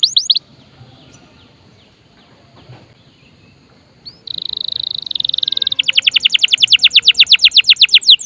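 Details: Vigorously singing canary used as a lure to prompt other birds to sing and as a song tutor; after near silence, a buzzy steady trill begins midway, then rapid repeated high notes, about three per second.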